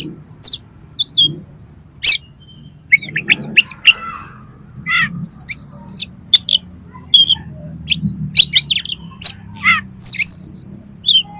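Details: Oriental magpie-robin song for training competition birds: scattered sharp clicks and whistled chips mixed with varied high mimicked notes, loose and irregular throughout.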